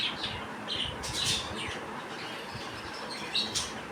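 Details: Baby budgies playing outside the cage give harsh, scratchy squawks and short high chirps, with faint room noise behind them.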